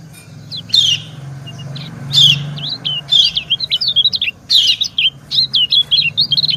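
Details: White-eye (kecial) female answering a male: buzzy chirps mixed with quick high slurred twittering notes, becoming a rapid chattering sequence in the second half, faint low rumble behind.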